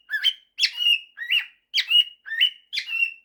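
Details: Singing male pet cockatiel working through a mashup of 'September' and 'If you're happy and you know it', giving buzzy upswept notes that settle into flat whistles, six phrases in a steady rhythm.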